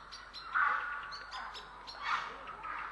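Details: Grey heron recorded in Estonia, 3 April 2017: two loud, hoarse squawks, the second about a second and a half after the first, with fainter rasping and clicking sounds between them.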